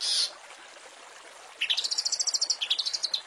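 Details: Training master of long-tailed shrike song with fill-in phrases: one loud harsh burst, a short gap, then a rapid rolling series of high clipped notes, about seven per second, dipping slightly in pitch.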